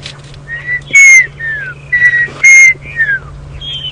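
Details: A Black-crowned Tchagra gives clear whistled notes near mid-high pitch, some level and some sliding downward, in loose bursts, on a morning safari drive at Djuma Game Reserve on 30 September 2015. Other birds call and a steady low hum runs behind.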